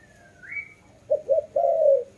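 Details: A thin rising whistle, then a dove gives two short low coos and one long mellow coo.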